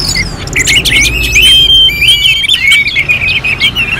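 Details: Orange-headed thrush singing in a contest-style sequence, long clear whistled phrases, some held and some sliding, mixed with quick chirps and sharp upper notes, continuous and lively.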